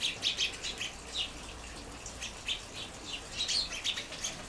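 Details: Several groups of sparrows on the ground and around a garden feeder, water bowl, flowering currant and ceanothus chirp together noisily in short, bright, overlapping notes, about two or three a second in uneven bursts, over a soft steady hiss.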